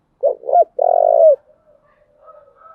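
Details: Female spotted dove used as a decoy to lure wild doves, giving a cooing phrase. Two short low coos are followed by a longer buzzy, vibrating coo, then faint quiet trailing notes.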